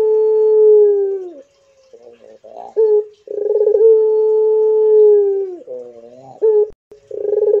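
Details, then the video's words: Barbary dove, pelung type, holding a steady low coo that sags at the end. Short warbling notes follow, then a second long sustained coo. "MANGGUNG PUTER INI GACOR PLONG I PUTER PELUNG GACOR DOR"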